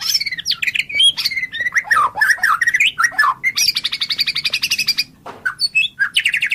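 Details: Murai batu, or white-rumped shama, singing on a song-tutoring recording: a rich run of swooping whistles and downslurs, then a fast buzzy rattling trill lasting over a second, ending in sharp chirps and short whistles.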